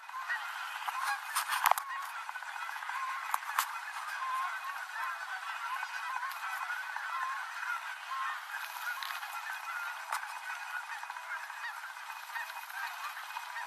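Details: Dense, continuous honking from many Canada geese descending from cruise altitude to the Rogue River, Oregon, in the evening; an unbroken chorus of overlapping calls, with a couple of sharp knocks early on from a cyclist recording from a dirt road.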